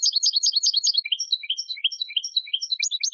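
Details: A European goldfinch delivers a dense, jumbled twittering song: quick high chirps at first, then liquid slurred notes that dip and rise irregularly, sung continuously.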